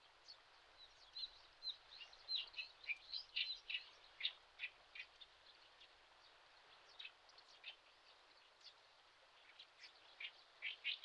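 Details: Common sandpiper parent keeping watch over roaming chicks on a riverbed in Shin'etsu, Japan, late May; short high chirps come in irregular clusters, louder in the first half, over a soft steady background hiss.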